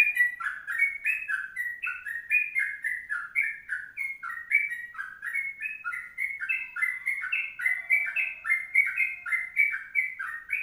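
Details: A Sooty-headed bulbul pours out an unbroken stream of quick whistled notes wavering up and down in pitch, a long 'kongslet' tutor song.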